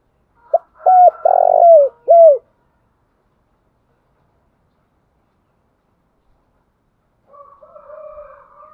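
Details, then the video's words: Spotted dove calling song, a standard lure for enticing wild birds: one phrase of a brief clipped note, an arched coo, a long grating coo sliding downward, then a closing coo, followed by a faint murmur. "tiếng cu gáy mồi chuẩn Gáy Gọi dùng kích bổi hiệu quả"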